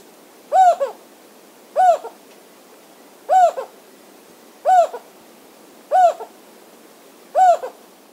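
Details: An endangered Jocotoco antpitta at Tapichalaca Reserve, Valladolid, Zamora-Chinchipe, on the east Andean slope of Ecuador, calls: a low, hollow, owl-like hoot with a quick lower tail note, repeated six times about every one and a half seconds.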